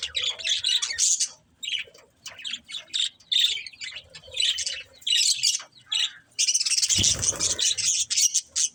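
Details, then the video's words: Budgerigars chirping in a busy chorus: bursts of bright, scratchy warbles and squawky notes alternating with short pauses, one longer harsh squawking stretch near the end. "Cute Budgies Chirping Sounds"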